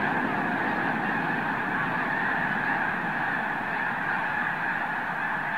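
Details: Arctic white geese, thousands strong, rise together from Summer Lake Wildlife Area in Oregon. A roaring, unbroken chorus of honks fills the whole stretch at an even loudness.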